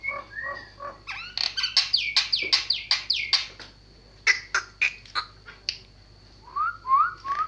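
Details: Javan myna song built from short whistled notes, then a series of loud, descending squawky slurs repeated about twice a second, sharp clicks, and closing upslurred whistles, over a constant thin high whine.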